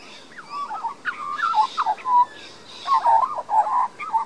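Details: Juvenile resident Australian magpie in a Queensland garden, Australia, filmed on a Panasonic Lumix DMC LX7, pouring out a liquid carolling warble: swooping whistled notes in quick clusters, a short lull, then another run of bubbling phrases.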